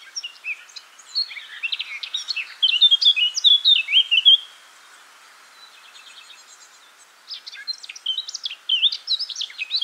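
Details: Song of a Eurasian blackcap (Sylvia atricapilla): a rich, rapid warbling phrase of clear whistled notes lasting about two seconds, a quiet gap with soft twittering, then a second burst of lively warbling.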